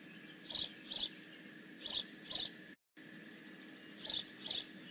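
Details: Bald eagle calling at the Decorah North nest on 15 May 2017, high scratchy chirps delivered in quick pairs separated by pauses, with a brief silent dropout and a low steady background hum.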